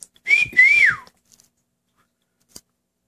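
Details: Pet cockatiel at home whistling a tune together with its owner. A single sweet whistled phrase with two notes: a steady tone, then a rising-and-falling slide downward, followed by near silence and a faint click.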